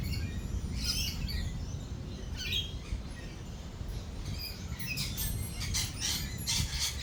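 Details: Lorikeets at a feeding place in a thunderstorm with rolling thunder, uttering quick harsh high chirps in irregular clusters over heavy low rumble and patter.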